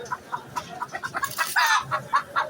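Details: Chickens at a poultry market, giving a rapid series of short clucks about every quarter second, with a louder harsh squawk in the middle, amid general market bustle.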